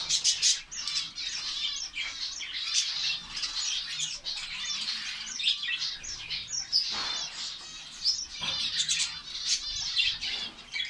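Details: Captive finch colony in Saudi Arabia giving a continuous high-pitched twittering, many overlapping chirps and short trills with loud bursts near the start and end, a few wing flutters mixed in.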